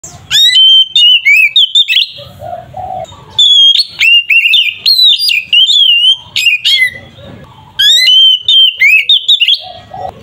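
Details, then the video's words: Oriental magpie-robin, called kacer, in its ngeplong fighting style meant to provoke rivals: loud clear whistled phrases, sliding up and down with sharp upward sweeps, delivered in bursts separated by brief pauses, with faint low rumbling between phrases. "Suara burung Kacer ngeplong ini sangat ampuh untuk terapi Kacer bahan"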